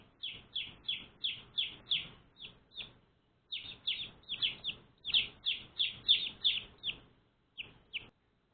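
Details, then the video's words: One-day-old pet chicks peeping in fast bursts of high, downslurred chirps, separated by two brief silences, some notes overlapping as several chicks call together. "One Day Old Baby Chicks Chirping Sounds"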